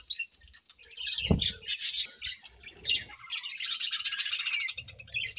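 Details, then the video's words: Morning budgie chirping: quick high chirps and squawky notes build into continuous buzzy chatter. There is one sharp tap-like click early on. "Budgies' Morning Chirping Sounds"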